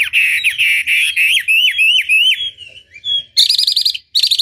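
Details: Chinese hwamei singing loudly in a tutor recording that provokes rivals to answer: long sustained whistles, a series of sharp upward-flicking notes, then a fast buzzy trill after a short pause.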